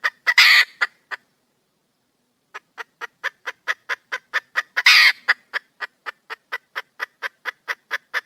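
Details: Wild female red junglefowl calling for a male: short sharp clucks repeated about every quarter second, broken by loud harsh squawks, with a quiet pause before the clucking resumes and quickens.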